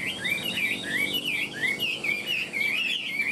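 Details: Caged Chinese hwamei with a fanned tail and a wing display. It gives a strong, continuous song of looping, wavering whistled phrases, rising and dipping in quick succession with barely a pause, clear over a quiet background.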